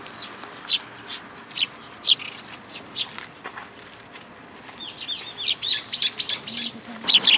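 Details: Sparrows and a newcomer fledgling at a feeding spot in a plum tree, Tenmangu shrine, June 21 2022: bright chirps at first spaced out, then a brief pause, then a quicker, denser run of twittering notes.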